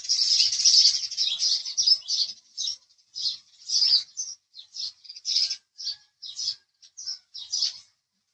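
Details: House sparrow chirping: a rapid run of bright, sharp chirps, crowded together at first, then spaced into short separate notes and small clusters over about eight seconds, with no other clear sounds.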